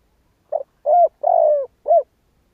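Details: Spotted dove (cu gáy) giving a kích bổi call: a single phrase of four low, hollow coos, a short soft opener, two long mellow notes, then a clipped final coo, against silence.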